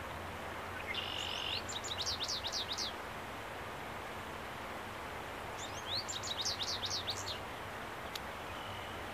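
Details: An American goldfinch marking territory on 30 April 2015 sings two bright, twittering bursts of quick high notes sweeping up and down, separated by a few seconds of quiet over steady hiss.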